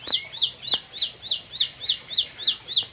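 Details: Steady, rhythmic high chirps from a four-month-old bar-winged prinia described as fighter-like: about ten bright, bending notes in three seconds, evenly spaced, with a couple of faint taps.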